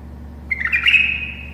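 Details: A tame pet bulbul gives a short burst of bright, slightly rasping warbled notes, rising and then holding near a steady high pitch, over a low background hum.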